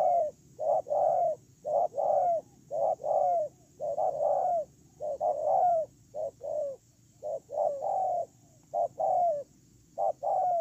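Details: Spotted dove kept as a ground decoy bird, recorded 8 October 2018: a series of low, soft cooing phrases of two to three notes each, repeated with short gaps, over faint low background hum.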